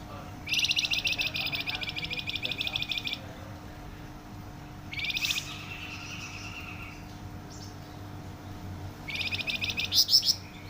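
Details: Loud, dense Flamboyan song: long sustained trains of very rapid buzzy high pulses, each lasting two to three seconds, separated by pauses, with a faint low hum throughout.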